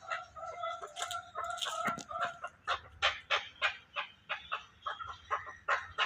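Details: Chukar partridge producing rapid repeated clucking calls with ringing overtones, several birds' notes overlapping at first, then settling into a regular chuck-chuck rhythm about three per second.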